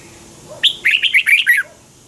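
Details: Red-whiskered bulbul singing a morning training song in a twisted double-voice style, used as a lure to teach caged birds; one short phrase of bright, warbled, rising and falling whistles, clear and close.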